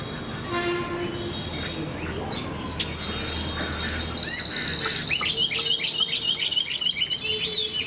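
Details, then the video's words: Large moulting Chinese hwamei kept as a pet: harsh scratchy notes open, followed by a sustained high warble and a fast series of short whistled notes repeated several times per second, with background hum. "Chim họa mi đang thay lông, bộ to đẹp, hót cao cầu"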